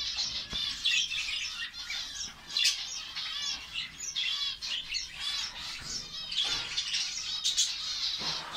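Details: Finch colony in Saudi Arabia, many birds chirping at once in a dense, high twittering chorus with overlapping buzzy trills and short squeaks throughout, plus occasional soft wing flutters.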